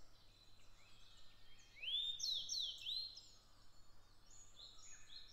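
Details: Grey bunting from Japan giving a single whistled phrase of about a second: a rising note, then several quick falling slurs, with faint chirping of other birds continuing around it.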